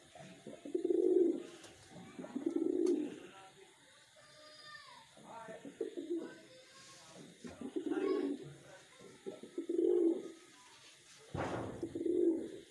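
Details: Wild pigeons kept in captivity coo in deep, rounded bursts about every two seconds. A brief human voice and a short noisy crackle break in near the end.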